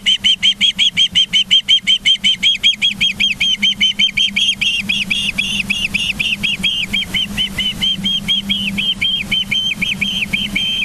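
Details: Osprey at a nest in Charlo, Montana, on 24 August 2023 at 09:29, giving a fast, steady series of high, whistled chirps, about three a second, throughout. A constant low mechanical hum runs underneath.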